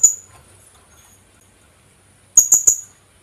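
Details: Kulasisi, the Philippine hanging parrot, calling as a lure: a brief fragment of a shrill note at the start, then after a quiet pause a short burst of three sharp, very high chips.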